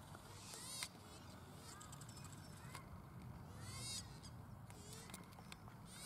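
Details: Pukeko in a Christchurch park (Waterford park), April 2019, giving raucous screeching calls in a few short clusters, with a strong low background rumble and scattered sharp knocks.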